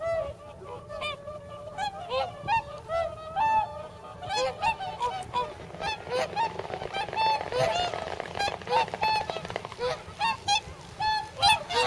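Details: Whooper swans, nearly 300 at a pond in Nagamine, Nishiyama, shortly before their northward migration, trade loud bugling honks, many birds overlapping in quick irregular bursts over a steady chatter of softer calls.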